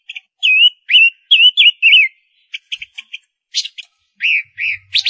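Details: Lure-bird silver-eared mesia hen sings a run of looping, downward-sliding whistles, then short stacked chips in groups of three, buzzy notes and two slurred whistles to close.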